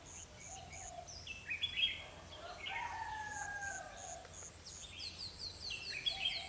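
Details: Fighting song of red-whiskered bulbuls during a trapping session with a lure bird on 21/12/2015; quick bright chirped and whistled phrases, some descending, over a low drawn-out crowing rooster and background birdsong.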